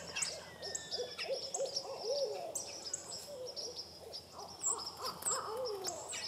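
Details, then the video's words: Barred owl calling in a quick series of arched, yelping hoots over the first two seconds, with a few more near the end, amid busy high chirps from other birds. "Barred Owl Calling"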